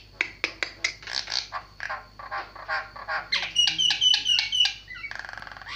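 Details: Javan myna delivering a long varied sequence of clipped clicks, rasping chatter and ringing metallic two-tone notes, repeated nearly four times a second, ending in a buzzy rattle.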